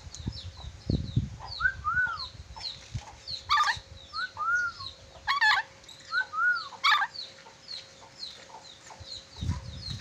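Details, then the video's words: Sulawesi Red-breasted parakeet, a bird with many whistles: clear, arched, falling whistles come in pairs between short harsh bursts, against busy high chirping from other birds and low thumping noise. "Nuri dora sulawesi pintar bersiul, nuri dora banyak siulan"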